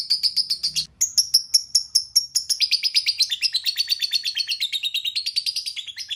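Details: Lovebird chattering in a steady stream of sharp, high-pitched chirps, about five a second, shifting lower partway through with a short break near the start.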